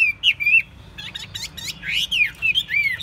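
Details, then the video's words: Chinese hwamei, caged, sings short whistled slurs, a burst of quick rattling stuttered notes, then more bright rising-falling whistles. "Hót tốt, Đấu tốt. Siêng mỏ, giọng hay"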